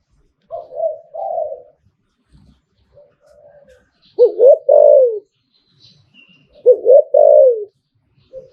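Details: Spotted dove kept by its owner, cooing in the Thai liu-tan style: soft low coos, then two loud phrases of short rising notes ending in a long falling coo, about two seconds apart, in a quiet room.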